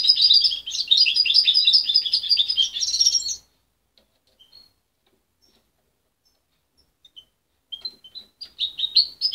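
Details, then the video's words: A young goldfinch hybrid, reared by its mother and taken away at 23 days, sings a long fast jumble of bright, metallic twitters for over three seconds. A near-silent pause follows, then brief chips and a new twittering phrase. "Mixto de jilguero joven"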